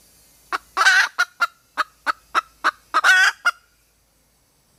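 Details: Red junglefowl hen calling for a mate with a rapid series of short clucks, two of them stretched into longer harsh squawks, then silence with one faint click at the end.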